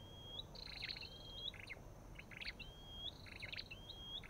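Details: Calling olive-backed tailorbird, with a white-eye also present: bright rising whistles alternating with dense buzzy chirp clusters, about four whistles in quick succession.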